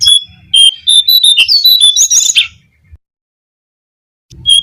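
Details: Lure recording of a brown-cheeked fulvetta for drawing in birds: a rapid string of sweet whistled notes wavering up and down, ending in a brief burst. A pause follows, then the phrase starts again, with faint low noise.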